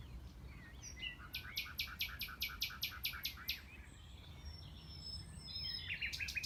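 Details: At the Knepp rewilding project in West Sussex in May 2018, a Common Nightingale delivers a rapid series of around ten sharp, ringing notes at a steady beat, then pauses before another short repeated burst; a blackbird is audible in the background.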